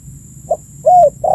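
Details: Spotted dove calling, a recording used as a lure to attract birds: a brief low coo, then a longer steady mid-pitched coo, with the start of a third note cut off. Faint low hum underneath.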